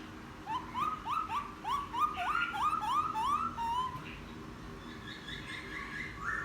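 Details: Wild-caught laughingthrush, ten days in captivity and singing openly, delivers a run of about ten rising, upslurred whistles, evenly spaced and repeated quickly, then softer higher whistled phrases.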